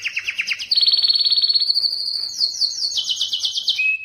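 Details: Canary song to stimulate hens for mating, with quick chopped notes leading into a long high rolling trill, a step to faster repeated notes, and a closing steady whistle.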